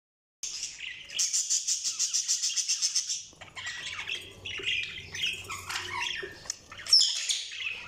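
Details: Budgerigars chirping: a rapid run of pulsed, buzzy notes about three times a second for two seconds, then mixed warbling chirps and squawks, with a low hum beneath.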